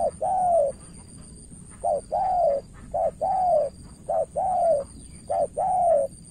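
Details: Spotted dove used as a decoy in Cà Mau, Vietnam, dueling a more experienced rival. It gives repeated coo pairs, each a brief note then a long mellow coo, spaced about a second apart, with a constant thin high hum.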